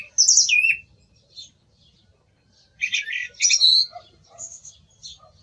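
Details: Song thrush song in short bursts: a sharp descending high whistle, a pause of two seconds, then a dense tumble of chirpy notes and a few softer trailing calls.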